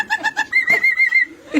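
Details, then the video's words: Myna mimicking human speech in Malayalam while a person repeatedly urges it to laugh; three quick rhythmic notes, then a sustained, slightly wavering whistle, with the person's Malayalam voice around it. "MYNA MALAYALAM TALKING"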